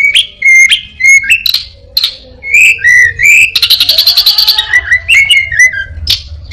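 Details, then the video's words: Orange-headed thrush mixing borrowed sounds, said to include a prinia, a cat and a cirtu: rising whistles and squeaks, then a dense buzzy chattering burst followed by falling slurred notes. "burung Anis binbin gacor isian perenjak,kucing,cirtu,dan burung lainya"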